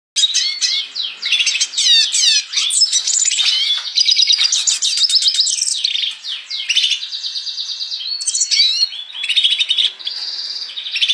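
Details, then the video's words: Red siskin in full, nonstop 'gacor' song: dense high twittering of rapid chirps, trills and upward-sweeping whistled notes running almost continuously for eleven seconds, with brief pauses and a few buzzy, chattering phrases. "Burung Red Siskin Gacor"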